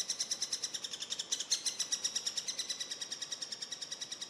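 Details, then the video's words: Begging of Eurasian three-toed woodpecker young while being fed, heard as an unbroken series of thin, buzzy high notes repeated rapidly and evenly, roughly six each second. "Dreizehenspecht beim Füttern"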